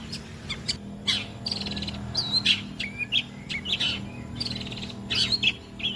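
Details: Long-tailed shrike singing a mimicked medley said to include the kuntilanak bird, gereja petir and walang kecek: short bright chirps and sharp rising and falling whistled notes in quick bursts, over a steady low hum.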